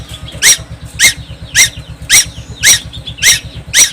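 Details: Young tuwu of Timor Island in constant song: seven strident, buzzy squeaks spaced about half a second apart, with quiet twitters between them, over a persistent low hum.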